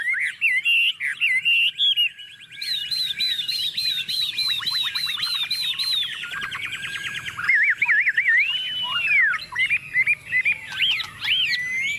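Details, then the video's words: Confident tame Chinese hwamei singing while placed on a table: whistled phrases, then a long run of quick repeated rising notes, followed by broad swooping slurs and warbles. "Họa mi thuần xách tay đặt bàn tự tin hót"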